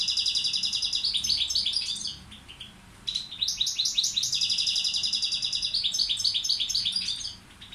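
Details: Balkan goldfinch tutor bird (balcanica) singing long tours of rapid metallic twittering and fizzy trills, pausing briefly midway before launching into another extended buzzy sequence.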